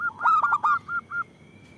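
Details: A local zebra dove with a big voice, kept to lure and provoke other doves. It gives a dense burst of stuttering hooked coos, then two separate short clear notes.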